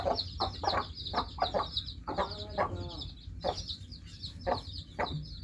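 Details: Freshly hatched chicken chicks give high, thin peeps amid clicks, with one lower, fuller drawn-out call near the middle and a noticeable low rumble underneath.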